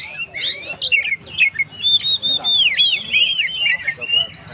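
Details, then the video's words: Energetic Oriental magpie-robin song used to rouse stressed birds: a few rough, scratchy notes open into clear, looping whistles that dip and climb, followed by short bright phrases. "suara burung Kacer gacor"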